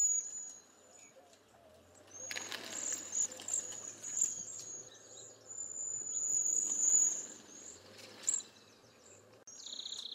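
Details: Cedar Waxwing from eastern North America: thin, very high hissing whistles, some long and some in short trilled bursts, overlapping as if from several birds, with a faint low hum beneath.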